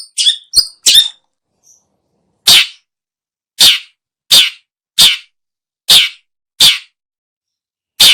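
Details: Long-tailed shrike, used as a lure for birds: three quick high chirps, then a series of about eight harsh, raspy notes spaced irregularly, roughly one a second.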